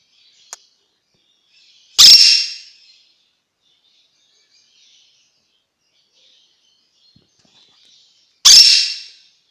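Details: Young monk parakeets (baby quaker parrots) give two harsh, raspy squawks about six seconds apart, each under a second long, with a faint click before the first.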